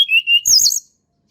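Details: Natural-wild hill blue flycatcher song: a steady, clear whistled note, then a quick burst of high, sweet twittering that slurs downward. Quiet background.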